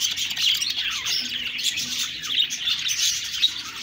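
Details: Chattering budgerigars fill the recording with busy high-pitched chirps and scratchy warbles, notes piling over one another in a steady flock chorus.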